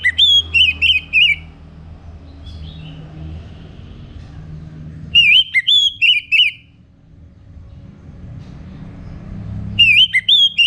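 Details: Orange-headed thrush singing in the morning as a lure to get birds singing: three bursts of fast, twisting whistled notes, each about one and a half seconds long, separated by quiet stretches with soft low noise.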